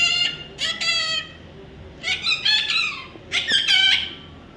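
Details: Baby parrot, possibly an Indian ringneck, calling in a series of harsh, harmonic-rich squawks: two short bursts, then two longer, buzzy, wavering calls, with quiet background between them.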